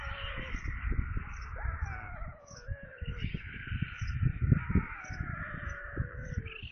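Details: White storks at a nest in Kaluga region, Russia, during evening feeding on 22 July 2022 at 17:52, with a corncrake brought as food. Drawn-out, wavering, harmonic wailing calls overlap and slide downward. Dull low thumps and knocks run underneath.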